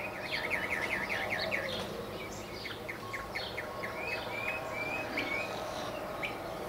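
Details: Male northern mockingbird twittering from a tall mesquite in central Arizona; a run of swooping slurred notes, then spaced upslurred whistles and sharp chips, against a low background hum and insect sounds.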